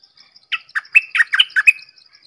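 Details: Red-whiskered bulbul giving a crisp phrase of seven or eight clear, bouncing whistled notes, alternating higher and lower, delivered quickly within about one second, with faint high ticking behind.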